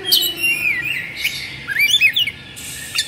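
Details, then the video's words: Emotional, agitated oriental magpie-robin fanning its tail and singing with open beak: loud whistled slides falling in pitch, then quick clipped notes and a buzzy high burst. "Suara Kacer Emosi/Kongslet"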